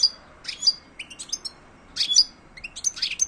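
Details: ['European goldfinch, silvestrismo singing: sparse clusters of sharp high chirps and liquid twittering notes, several short phrases spaced apart against a quiet background.']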